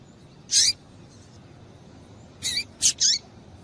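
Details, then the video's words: Calls of a female double-collared seedeater, used to get males singing: four short, high, scratchy chirps, one alone and then a quick run of three, with a faint downward slur under some notes. "Piado de Fêmea de Coleiro Para Esquentar Coleiro"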